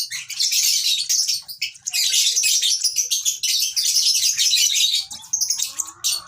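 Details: Continuous raspy, high chirping from a baby lovebird, steady and loud before easing into softer separate notes at the close.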